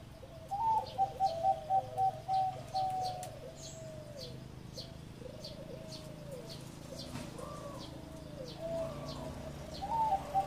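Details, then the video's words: Zebra dove singing in the style called 'ร้องตับ' (continuous bouts): a quick run of short, clipped cooing notes at a steady pitch, then quieter scattered coos. Faint high chirps from other birds and low background hum. "นกเขาชวาเสียง |EP109 ร้องตับฟังเพลินๆ"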